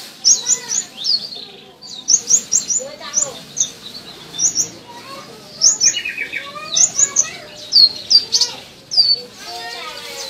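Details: A captive Purple-throated sunbird (Leptocoma sperata) in song training sings in quick bursts of thin, very high, sharp chirps and trills with short pauses, over softer lower twittering in the background.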